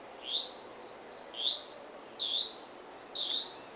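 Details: Black-cheeked Gnateater calling: four short, high, upslurred notes, each rising sharply then tailing off, given about once a second, with faint background hiss and no other birds.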